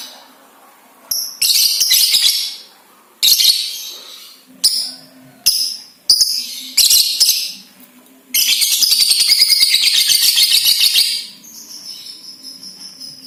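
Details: Balibu lovebird chattering and trilling to make other lovebirds sing and chatter: several short, high, scratchy bursts separated by pauses, then a long, fast, rattling trill for about three seconds.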